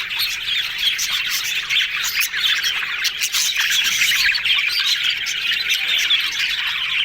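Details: Happy yellow budgerigars chattering as a group: steady high warbling and squeaky chirps overlap without pause, with short bright squawks and clicks breaking through now and then.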